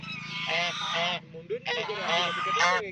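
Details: A duck in a pond gives two drawn-out, harsh, nasal calls, each lasting under a second, over a faint low hum.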